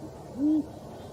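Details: A single low, level owl hoot lasting about a quarter second, rising slightly at its start, heard over a faint, steady background hiss.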